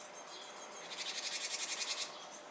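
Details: Japanese tit close to fledging, appearing to tease or delay: a steady run of about ten rapid, rasping buzzy pulses lasting roughly a second, preceded by faint thin high notes, with soft background hiss throughout.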